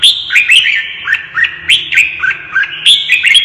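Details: Red-whiskered bulbul singing when stirred to fight: continuous string of clear whistled notes, each swooping up or down, spaced about every quarter second, with a low hum beneath.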